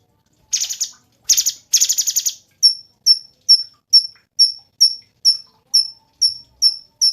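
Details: Cungkok in full song, a songbird used as a training model: three buzzy, rattling bursts open, followed by a steady series of sharp, high chip notes, about two per second.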